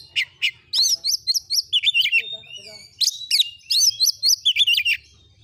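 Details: Oriental magpie-robin (kacer) in vigorous gacor singing, masteran recording meant to stir other birds: rapid, varied run of bright whistled notes and slurred upsweeps, delivered in two dense bursts separated by a brief pause.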